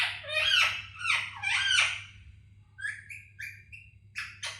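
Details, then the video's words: Pet parrot talking indoors: a few speech-like syllables with shifting tones over the first two seconds, then short rising whistled notes and two sharp squawks near the end. "makky toking"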